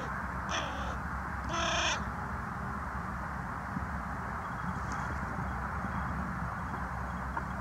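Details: Carrion crow back on the ground, recorded 22 January 2020, giving two rough, grating caws, a short one followed by a longer, louder one, then quiet with constant low hum behind.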